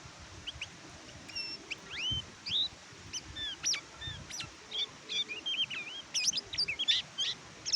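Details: Oriental white-eye (kecial kuning) singing: scattered high, thin whistled and slurred notes, some rising, some dropping, coming in short bursts over steady low background hiss and faint rumble.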